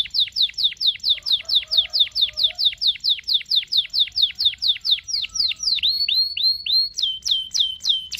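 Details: Canary in full song used to teach a young bird: a quick series of steeply falling chirps about three per second, ending in rising whistled slurs and a few short high notes.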